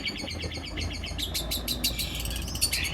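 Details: Long-tailed shrike (cendet) kept as a song-training and contest bird, in busy 'nembak kasar' style with mimicked fills such as lovebird and canary: rapid high chirps and scratchy trills in dense bursts over a low background hum.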